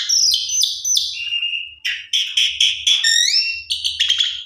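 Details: Javan pied starling (jalak suren), a lively singer, in a full, varied song played as a lure for sulking birds: loud whistles, a long falling note, then rapid buzzy chattering bursts and rising slurred whistles, with a faint low hum beneath.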